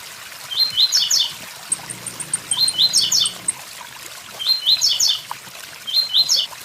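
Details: Blue-black grassquit singing the "tui tui zel zel" song style: short phrases of a few rising whistled notes ending in a quick tangled cluster, roughly every two seconds, with thin high ticking notes between. Steady waterfall rush and a faint low hum run underneath.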